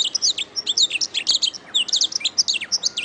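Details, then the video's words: Master-recording canary song, a brisk stream of high, sweeping chirps and rolled notes repeated several times a second, with one sharp click in the middle and a faint descending whistle near the end. "Masteran Suara Kenari"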